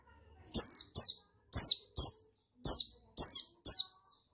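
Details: Shrill descending chirps from a male buxtoni white-eye, seven notes in loose pairs about half a second apart. The call is used to stimulate a reluctant bird into singing.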